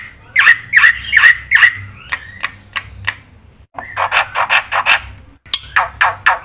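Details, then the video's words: Black-winged myna singing actively with a full varied repertoire, used as a lure and tutor for birds that have stopped singing: loud, harsh, raspy squawks in quick bursts, some with a ringing tone, broken by two short pauses, over a low electrical hum. "suara burung jalak putih gacor full isian"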